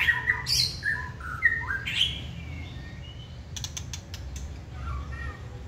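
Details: Caged white-rumped shama, tail flared, singing readily when stimulated: a run of clear whistled notes, some sliding up and down, in the first two seconds, then sharp dry clicks and a few softer whistles over low background rumble.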